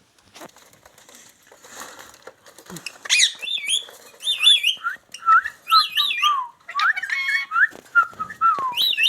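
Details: Indian ringneck parakeet talking and dancing: after a quiet start, a run of loud wavy whistles and squeaky, speech-like harmonic phrases, some sliding downward, keeps going almost without pause.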